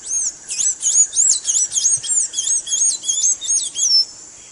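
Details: Blue-gray tanager song used for teaching a caged bird to sing: a fast run of high, thin, squeaky slurred notes, about a dozen in four seconds, each sweeping up and down, over a steady high hiss.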